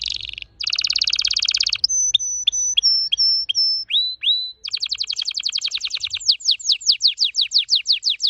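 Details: Red factor canary's very fast song: a brief buzzy phrase, a dense rapid trill, repeated flat high whistles with lower chirps, two rising whistles, then a long rapid series of descending slurred notes.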